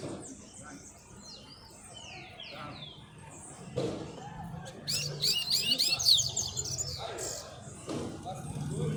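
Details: Rusty-collared seedeater singing out on the street: one rapid, high, trilled and twittering phrase in the middle, with other high chirps before it, speech and street noise.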